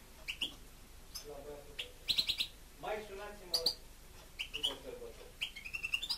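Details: Pet European goldfinch (sticlete) singing indoors: scattered high tinkling chirps and short twittered runs, some notes sliding upward, over low murmured human speech in the background.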